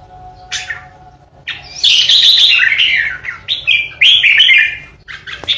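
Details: Red-whiskered bulbul kept as a caged decoy bird in 'ché' singing style, meant to threaten rivals: a short note, a pause, then a long loud run of scratchy, tumbling warbles over steady low hum.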